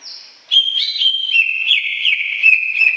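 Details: Greater green leafbird singing a bright whistled phrase after a faint opening note: clear sustained tones that jump between pitches in quick steps, with short chirpy accents, continuous for over two seconds.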